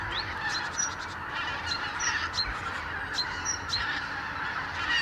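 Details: Huge flock of Arctic wild geese on the Lower Rhine in winter, flying from their roost to pastures in the morning; ceaseless massed honking with many distinct sharp yelping calls cutting through, a few low thumps below.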